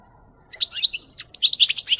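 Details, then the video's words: European goldfinch song for training other goldfinches, a short, rapid, bright twitter of chirps and tinkling notes starting after a brief silence. "SAKA KUŞU HUYLANDIRMA"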